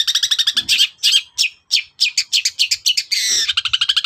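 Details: Long-tailed shrike singing in the morning to goad other birds into answering; quick chattering notes and rapid repeated trills, broken by one longer harsh buzz.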